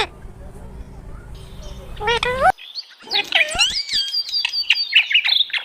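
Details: Talking parrot. The first half is music over a low hum, then a rush of high whistled and chirped notes, some sliding up and down, comes in quick bursts until the end.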